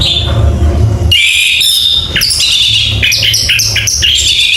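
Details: Orange-headed thrush song starting after a second of low hum, bursts of bright whistled notes and quick chattering trills, each phrase changing pitch and quickly repeated.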